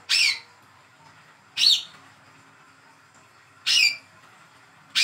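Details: Young spotted Olive-backed sunbird, hand-reared, calling to prompt a silent bird to sing: sharp, high, buzzy call notes spaced one to two seconds apart, three full calls and a fourth at the end, over a quiet background.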